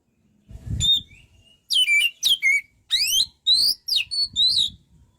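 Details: Oriental magpie-robin (kacer) in lively tutor song: a soft low rustle, one clear whistle, then loud rising slurs and warbled, wavering notes delivered in quick separated phrases.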